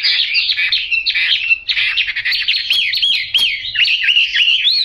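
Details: A yellow-billed, yellow-legged Chinese Hwamei sings a loud, continuous run of rich whistled phrases, sliding notes and rapid trills, high-pitched and varied with barely a pause.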